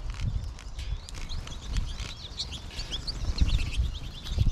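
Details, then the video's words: March flock of American goldfinches chattering nonstop, with thin, high, slurred chirps scattered throughout, heard over strong low rumbling and a few soft knocks. "American Goldfinch flock"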